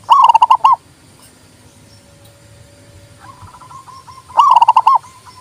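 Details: Zebra dove (local perkutut) song used to provoke reluctant doves into singing and to lure birds: two rapid, bubbling trilled coo phrases about four seconds apart, separated by a softer, lower-pitched run of pulsed notes.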